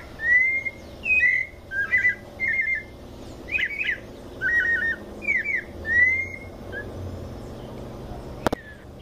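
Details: White-necked thrush singing in the 'mateiro' song style in São Paulo state, Brazil: a phrase of clear whistled notes, some slurred, some in quick stuttered groups, about one per second, then a pause with low background hum.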